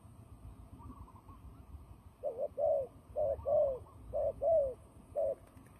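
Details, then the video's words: Fighting turtle dove, used in trapping, starting after two quiet seconds with paired low coos, a short note then a drawn-out sliding one, repeated about once a second; faint distant bird calls early. "fighting dove"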